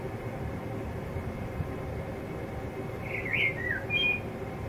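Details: A male blackbird sings to himself in a yard where a pair nested in ivy for years. One short fluty, warbled phrase comes near the end over a steady indoor hum, with a low rumble throughout.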